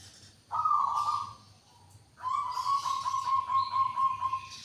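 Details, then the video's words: A local zebra dove gives a short rolling coo, then after a pause a long, steady, throbbing trill lasting over two seconds, pulsing in regular beats, with faint higher chirps behind. "SUARA KHAS PERKUTUT LOKAL"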